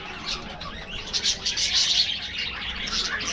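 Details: Budgies in an aviary eating in the afternoon, heard as a short, dense run of high twittering chirps pulsing several times each second.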